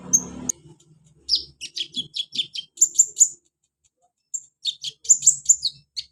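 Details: Sunbird (kolibri ninja), a caged bird, with song meant to coax a lazy bird into singing: bursts of sharp, very high chirps and trills, a short pause, then another rapid twittering run.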